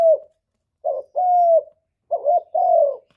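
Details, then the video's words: Spotted dove coo meant to provoke replies from other doves. Paired notes, a short rough hoot followed by a long, even, mellow coo, repeated twice after a clipped opening note. "Chim Cu Gáy Kích Nổi Cực Phê, Nghe là gáy theo liền"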